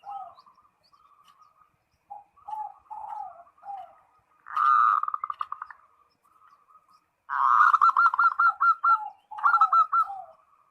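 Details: Zebra dove (perkutut) calling a rival: soft low coos build into loud, rapid bursts of stuttering pulsed notes, then end in short falling coos, repeated twice in a quiet setting.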